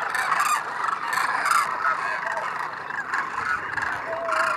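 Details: Thousands of migratory Demoiselle Cranes in winter at Khinchan village, Rajasthan, sit preening near a water hole. They call together in a steady, overlapping din of short, rolling, honking croaks with no pause.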